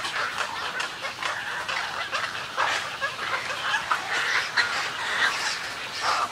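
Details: Snowy egrets calling close by in their colony: harsh, buzzy croaks and raspy gurgles in irregular bursts roughly once a second, several birds overlapping.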